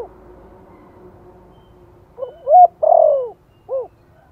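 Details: Vietnamese spotted dove giving a soft Giọng Thổ-style lure call meant to prompt freshly caught birds to call: after quiet, one phrase of quick low notes, a drawn-out falling coo and a brief arched closing note.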